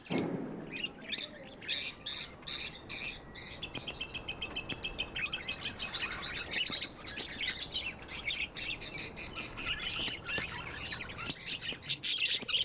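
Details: Pet budgies in a busy flock, rapid rhythmic clicking chirps and chatter building into a dense continuous warble.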